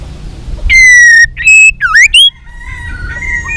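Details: White-rumped shama trained for contest singing: a few loud clear whistles, one long and slightly falling, one a looping rising slur, then soft drawn-out fainter whistles.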